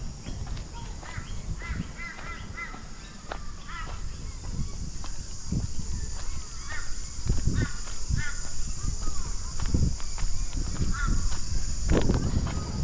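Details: Kookaburra laughing at a passing walker in the Australian bush of Queensland, mid-afternoon. Short clusters of chattering, cackling notes come and go between crunching footsteps, under a constant shrill cicada chorus.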